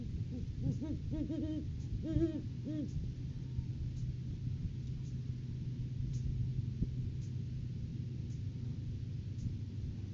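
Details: Great horned owls at a nest tree in January courting season, live cam recording: a rapid run of softer, repeated hoots in the first three seconds, then only steady low rumble.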